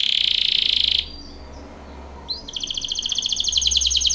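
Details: Canary singing for training: a dense buzzy trill stops abruptly, a pause follows, then a rising slur leads into a fast, even trill of repeated notes.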